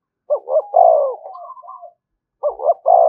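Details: Spotted dove decoy calling repeatedly to stir rivals to fight: a stuttered pair of notes, a long loud falling coo and soft trailing notes, then the next phrase beginning.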